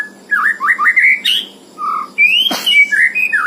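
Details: White-rumped shama song in the "isian penuh" style: quick varied whistled phrases, rising and bending, some buzzy, in two bursts split by a short lull, with one sharp click midway and a steady low hum behind.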